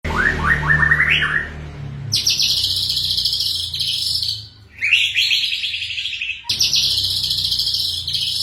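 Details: White-rumped shama (murai batu) singing in rapid, dense bursts: rising series of whistled notes that give way to long, fast, buzzy high trills, broken by short pauses, over a low steady hum.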